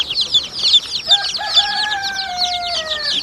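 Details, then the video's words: A crowd of baby chicks peeps constantly in high, rapid, overlapping chirps, while a long, drawn-out rooster crow runs through the second half. "baby chicks chirping sounds"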